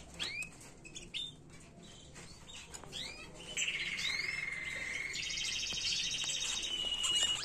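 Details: Canary singing a tutor song for young birds: a few upslurred whistled chirps, then a long smooth lower trill rising into a higher, brighter rolling phrase.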